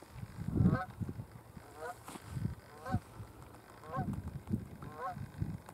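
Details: Canada goose in flight over Burwell Fen, Cambridgeshire, UK, 15 April 2015, giving a series of resonant, two-part honks, roughly one a second, with low rumbling wind noise underneath.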